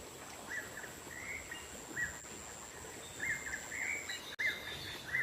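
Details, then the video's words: Wild black-naped monarch used to lure wild birds: irregular short chirps, sparse at first, then a quicker cluster near the end, over a sustained shrill insect-like tone. "Suara pikat burung keci dialam liar"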